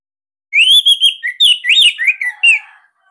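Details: Captive Orange-headed thrush, Bali type, sings a master phrase of rolling, loud whistles with rising and falling slides, ending in a fading low note.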